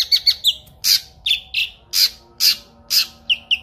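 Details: Kinoi songbird with clear voice, recorded for training pet birds: loud harsh high squawks alternating with short whistled downward notes, about two per second, clean background.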